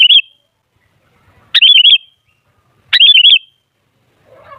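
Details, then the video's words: Sooty-headed bulbul song used as a lure: short bubbly warbled phrases of four or five rapid wavering whistled notes, repeated about every one and a half seconds. "Suara Burung Kutilang Ampuh Buat Pancingan Jadikan Kutilang Ribut Gacor"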